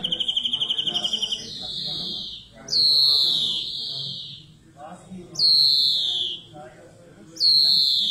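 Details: A singing European greenfinch opens with a rapid pulsing trill, then gives three strong, drawn-out, descending buzzy wheezes at roughly two-second intervals, with faint twitters in between.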